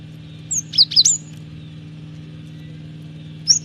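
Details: Cinereous tit singing, played as a lure and tutor for training birds: a quick phrase of four high, sharply slurred whistles, then one lone high note near the end, over a steady low hum.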